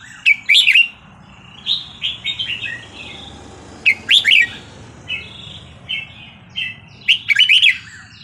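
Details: Red-whiskered bulbul giving Burmese-style 3-4-5-6 song, used to teach young birds: three loud bursts of rich, rapidly warbled notes near the start, middle and end, with softer whistled phrases between, over a faint low hum.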